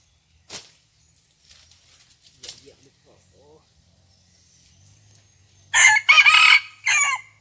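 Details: Red junglefowl heard during a morning decoy hunt on 27 January 2021; the decoy had recovered after wild junglefowl nearly beat it to death. After quiet rustling, a loud, harsh crow comes in several segments, then a shorter final burst.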